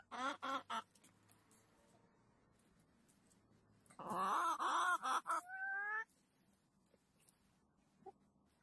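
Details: Chickens in a henhouse: a few quick harsh calls at first, then quiet rustling. About two seconds of loud, overlapping, wavering squawks follow, ending in a rising nasal note before near silence.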